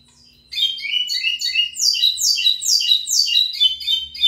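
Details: Song of a lined seedeater (pico plat): after half a second of quiet, a loud fast stream of sharp descending whistled and buzzy notes, repeated more than twice a second, continuing to the end; faint low hum beneath.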